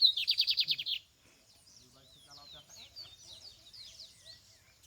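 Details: Lined seedeater (bigodinho) singing in the field during a search for the bird: a loud, buzzy, rapid trill of about ten downward-sweeping high notes lasting one second, followed by faint distant chirping and soft low voices.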